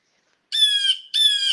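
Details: Blue Jay alarm call, often the first to announce a person walking in the forest and likened to "thief, thief": two harsh, nasal screams in quick succession, each about half a second long.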